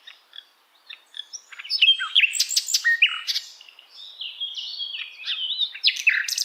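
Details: Asian brown flycatcher song meant for songbirds to copy: faint high notes build into a dense, scratchy jumble of buzzy chirps and short whistles that continues to the end.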